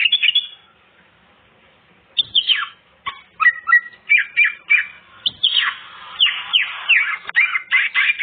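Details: Greater green leafbird song with the complete set of fills, used to draw out young untrained birds: a brief whistle, a pause of almost two seconds, then a steady stream of loud sweeping and buzzy whistled notes.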